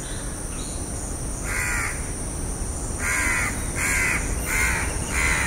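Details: House crow cawing: one rasping caw, a pause, then four quick harsh caws in a row, over continuous low background noise and a thin high-pitched tone.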